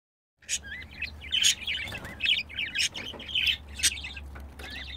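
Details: Two pet budgerigars caught while mating: fast, scratchy warbled chatter full of short clicks and rising whistled notes, some sharp high ticks, a low steady hum underneath.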